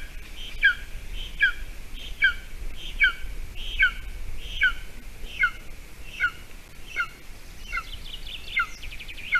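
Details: A golden eagle nest in Latvia, with the adult female feeding a mouse to the chick on 28 June 2020 at 8:46 a.m. A regular series of shrill, falling whistled calls, about one every 0.8 seconds, over a soft, low background rumble.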